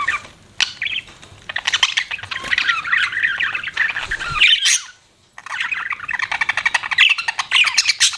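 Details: Budgies chattering as pets, a noisy mix of squawks and fast warbles, falling silent for a moment near five seconds, then returning in dense, high chirping.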